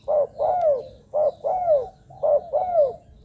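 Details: Spotted dove recorded as a decoy sound for luring wild doves; three phrases in quick succession, each a short clipped coo followed by a longer arching note that slides downward, repeating about once a second.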